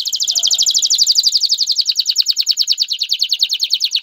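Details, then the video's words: Male canary singing to prompt a female to mate and build her nest: one long, steady, very rapid trill of high repeated notes throughout. "اقوى تغريد ذكر الكناري لتجهيز انثى الكناري للتزاوج و تحفّزها على بناء العش CANTO CANÁRIO"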